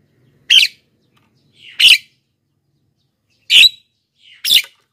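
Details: Four loud, rasping, chirp-like bursts roughly a second or more apart, from a Black-winged myna recording played to attract wild mynas and encourage lazy captive birds to sing.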